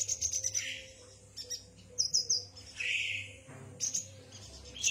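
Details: Yuhina giving high, thin tweets and short twitters, mixed with lower rounded, slurred notes; brief bursts separated by pauses, over a constant low hum.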